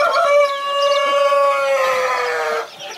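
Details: A mother hen protecting her 21 chicks utters a loud, long, steady harmonic call that slowly drops in pitch over more than two seconds, ending abruptly, with faint chick peeps around it.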